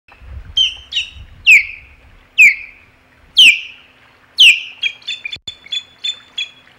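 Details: Osprey at the Hog Island nest on 27 July 2020, calling in alarm at an intruder: loud, high, downslurred shrill whistles repeated about once a second, mixed with shorter chirps and a run of quick piping notes.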